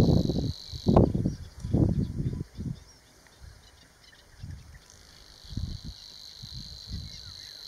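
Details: Savi's warbler (Locustella luscinioides luscinioides) singing at Vadu, Dobrogea, Romania, in May 2019 gives a high, dry, insect-like reeling trill that runs on without a break, partly covered by low gusty rumbles of wind.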